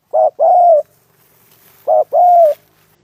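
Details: Close spotted dove cooing at a trapping site: two phrases, each a brief clipped coo followed by a drawn-out, gently descending one, about 1.7 seconds apart, with little other sound.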